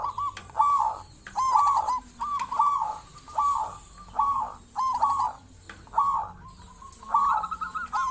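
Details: Actively singing local zebra dove meant to draw other zebra doves into calling; a run of about ten mellow rolling coo phrases, fairly evenly spaced, each a short burred trill ending with a soft dip.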